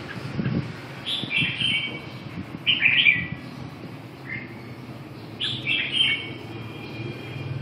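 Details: Red-whiskered bulbul singing short, bright warbled phrases that slide downward, about three bursts spaced a couple of seconds apart, with a soft low rumble of background noise throughout.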